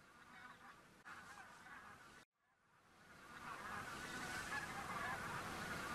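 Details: Migrating geese in Khakassia heading from the fields to a lake to rest by day: a dense, blurred chorus of many calling birds after a brief cut-out, swelling steadily louder as the flock nears.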